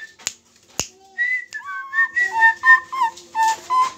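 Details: Friarbird of Lombok singing on a hand, indoors: after a few sharp clicks, a steady series of clear whistled notes alternating higher and lower, delivered rapidly with short gaps.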